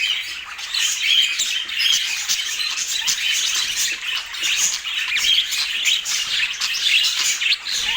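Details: Budgerigars in Portland keep up a constant scratchy squawking and chirping, several birds overlapping in an unbroken high chatter that swells and dips.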